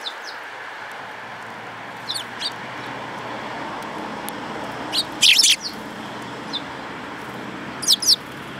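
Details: Sparrows on 10 June 2018 chirping in scattered bursts: brief high notes at irregular intervals, a louder rapid cluster midway and a final double chirp, with constant background hiss.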